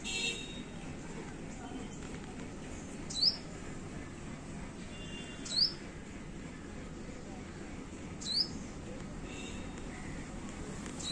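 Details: Yellow bird giving single sharp, high, downward-sweeping chirps about every two and a half seconds, three in all, over a constant soft hiss of background noise.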